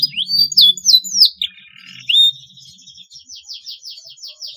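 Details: Canary singing as a training lure for young birds; a few sharp swooping notes, a brief warble, then a faint run of quick repeated chirps, with a low hum underneath.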